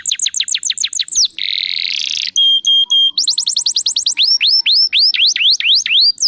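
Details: Canary song played to prompt other canaries to sing: a string of quick falling notes, a buzzy burst, three pure whistles, a fast trill, then looping upward-swooping whistles.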